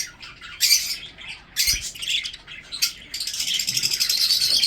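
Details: Pet budgerigars kept for breeding give scattered sharp chirps, then break into continuous fast buzzy chatter toward the end.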